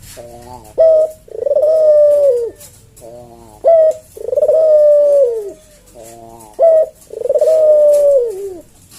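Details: Cage-kept puter jawa collared dove cooing kuk deruk in the slow senggang manggung style. Three full phrases, each a short clipped note followed by a long drawn-out, gently falling coo, spaced about three seconds apart in a quiet room.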